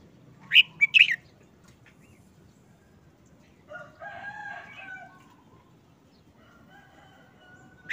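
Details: A caged red-whiskered bulbul, looking listless about a month after moulting, gives a short burst of loud, bright notes, then a longer warbled, slurred phrase of mellow whistles in a short, simple song, over a low hum.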